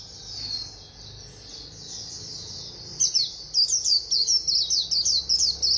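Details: A soft high warble gives way to a white-eye's fast 'líu' song, a brisk series of bright, clipped, twittering notes repeated in rapid succession.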